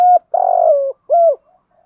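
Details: Spotted dove cooing 'thúc' style with a deep 'thổ' voice: a level hoot, a long vibrating coo easing downward, then another smooth rounded hoot, followed by faint trailing murmurs.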